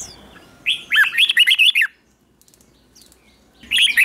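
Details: Morning training song of a captive red-whiskered bulbul: a rapid run of bright warbled, arching notes lasting about a second, then near silence, then a new phrase just starting at the end.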